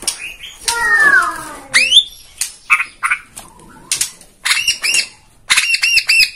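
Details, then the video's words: White-rumped shama (Borneo form), a lure recording used to provoke birds into singing: loud harsh squawking notes with falling harmonic slides, then short buzzy bursts and paired high whistled upslurs in rapid groups. "PANCINGAN MURAI BORNEO BONGKAR ISIAN"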